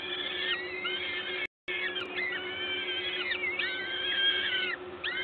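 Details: Peregrine falcons at their Gdańsk nest at LOTOS, Poland, on 14 May 2022 around 11:07, with an adult feeding: long wavering whine-like calls, briefly cut by a moment of silence, then resuming in overlapping bursts.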